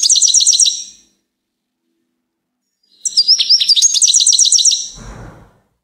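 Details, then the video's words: Goldfinch giving two bursts of high, tinkling, fast-repeated twitters with a long pause between; the second phrase is longer and more varied, ending with a brief low rustle. "Gold finch TOP SONG of the day"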